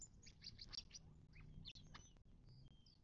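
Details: Birds chattering at a watering hole in the western Mojave Desert of southern California, near Joshua Tree National Park, on 19 March 2024. A fast run of bright, high chips opens, then softer scattered calls and brief thin whistles follow.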